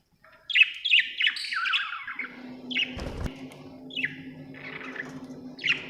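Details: Budgerigar giving clear short chirps and descending warbled notes, spaced irregularly about a second apart, with a sharp knock near the middle and a low hum.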